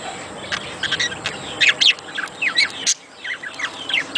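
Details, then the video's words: Budgies in a sound to spur mating: mixed squeaky chirps and short upslurred whistles with raspy squawks, a brief pause near three seconds, then more quick chirping. "صوت يحفز البادجي للتزاوج"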